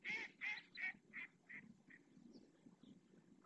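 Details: Purple swamphen parent calling its three chicks to come and be fed at the Riet Vell reserve lagoon in the Ebro Delta: six loud, nasal, honking notes in quick succession, fading steadily, over a low background murmur.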